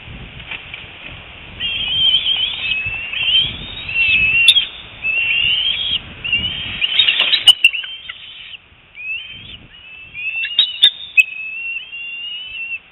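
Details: Recently fledged bald eagle, excited on returning to the nest at 4:08 PM on 25 February 2018 and heading for food; rapid series of high, wavering whistled squeals and chittering notes, with sharp clicks and wing or nest rustling.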